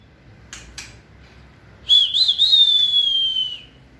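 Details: White-rumped shama at fiery peak, 2020 season, giving two dry clicks, then a long, bright whistle that wavers at first and slowly glides downward.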